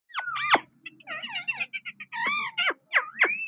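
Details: Pakistani green parrot at a window, giving a loud mix of whistled and harsh, squeaky calls with rising and falling notes, some rapid sharp chirps, in a small indoor room.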